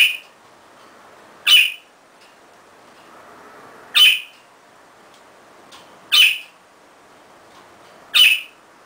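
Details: Caged pet budgerigar playing on a swing it loves, which it pushes to swing itself: loud, harsh single squawks repeated about every two seconds, with quiet gaps and soft faint chirps between them.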